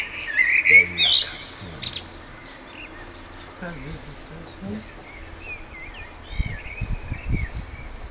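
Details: Common blackbird song opening with loud mellow warbled phrases and a squeaky high flourish. After that, fainter distant notes continue over background hiss, with low thumping sounds near the end.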